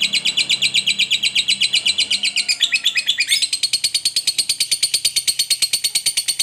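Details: Fighter lovebird giving a long ngekek, meant to provoke other lovebirds: dense high chattering trill that shifts after three seconds into a sharper, clicking rapid series of metallic notes continuing to the end.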